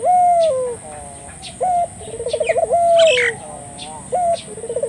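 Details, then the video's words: Turtle dove calling to provoke local doves into calling: low booming coos with a held opening note, a rapid pulsing trill and a sustained drop-off, repeating quickly, with a brief burst of other bird chatter midway. "suara burung puter gacor,merangsang buru puter lokal ikut gacor"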